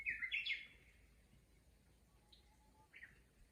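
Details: Japanese bush warbler in a rural chorus: a bright, quick warbled flourish opens the clip, then a faint level whistle and another short flourish, over quiet background noise.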